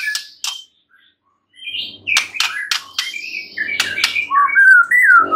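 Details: White-rumped shama singing, meant to make a silent shama reply: sharp broadband clicks and chips mixed with wavering whistles, ending in a loud clear descending then rising whistled phrase.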